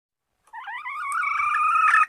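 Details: Female red junglefowl calling the male: a single drawn-out, slightly wavering whine that rises and steadily grows louder.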